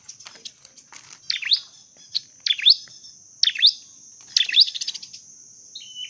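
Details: Dark-necked tailorbird giving sharp, high chirping notes in quick bursts about once a second, over a steady high insect-like whine.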